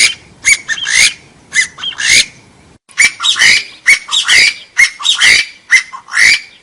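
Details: Partridge calling in a noise-filtered recording meant to lure wild birds for trapping: loud, harsh, rasping squawks with upward-bending notes, repeated in uneven clusters about once a second after a brief pause.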